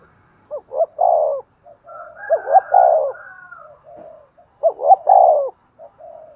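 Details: Spotted dove cooing to prompt another dove to coo and call: three low phrases of two quick rising notes and a drawn-out descending coo, with softer overlapping coos and a higher faint whistle between them.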